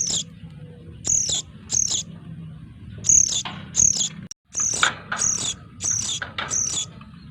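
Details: Calls of noisy sooty-headed bulbul chicks, played as a lure. Sharp, hoarse, high chirps come in uneven clusters, with a brief dropout midway and a faint low hum throughout.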